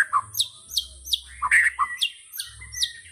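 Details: Murai batu, or white-rumped shama, delivering a tembakan phrase: crisp high downslurred chips repeated about every half second, mixed with lower warbled notes near the middle, over a faint low rumble.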